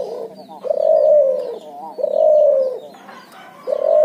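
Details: Cuhu, a hybrid of Barbary dove and spotted dove, calling busily in the ngoar nguku style: long, low, smooth coos that swell and fade, three phrases roughly every 1.4 seconds in a quiet setting.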